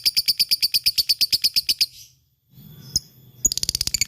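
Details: Lovebird kept as a fighter singing ngekek: two seconds of rapid, evenly spaced shrill chips, a short quiet gap with a single click, then the fast chattering resumes.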